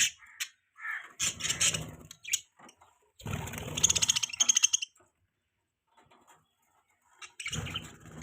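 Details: Budgerigars from a flock, chirping in the morning: short bursts of high, buzzy chattering warbles broken by quiet gaps, with low rumbling noise beneath the louder bursts.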